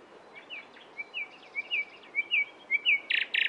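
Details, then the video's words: Nightingale giving a steady series of paired, rising whistled chirps, ending in two harsh, buzzy bursts. "It turned out to be a nightingale | Real sound"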